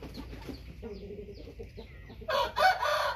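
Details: Thai rooster with a white tail beginning a loud, raspy crow in two strong surges that is cut short, after a stretch of low, murmuring background sounds.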